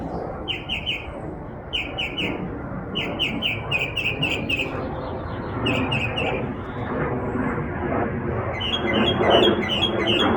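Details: Twittering in a backyard from a bird producing over 20 sounds: paired and triple chirps repeated in bursts, a pause, more chirp groups, then a rapid jumble of notes at the end as background noise grows louder.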